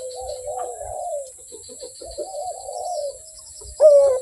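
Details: Quieter Barbary dove coos, soft wavering purrs held at one pitch with faint clicks, ending in one louder, sharp descending coo.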